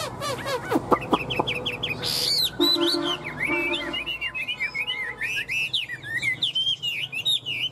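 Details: Fan-tailed Chinese Hwamei with a very fine voice, singing while flicking its tail like a laughingthrush: opening sharp notes, then a long, lively chain of bright, bouncing whistled phrases.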